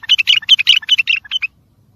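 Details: Fast, clear bulbul phrase of the tayyariyat sayhan kind, meant for training and stirring other birds: roughly a dozen quick, rich chirped notes packed into one and a half seconds, ending abruptly and followed by silence.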